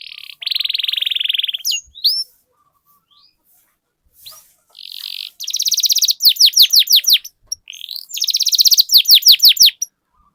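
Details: Canary rolling song for coaxing other canaries to sing: a long buzzy trill, pause, then bursts of rapid rattling notes mixed with quick descending whistles, repeated in two phrases.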